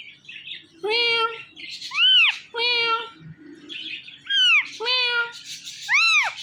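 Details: Male and female Indian ringneck parrot pair calling in the morning, a kept couple: loud harmonic squawks alternating with arched, rising-falling screeches, about six calls in quick succession, with faint chatter between.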